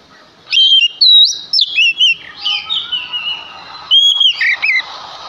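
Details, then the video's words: Male Oriental magpie-robin giving its lure song to provoke other birds of its kind to sing. Strong clear whistles, some falling and some rising, come in quick clusters separated by a quieter, drawn-out warbling phrase. "Sekali Dengar Kacer Langsung Nyaut Dengan Pancingan Kacer Gacor Ini"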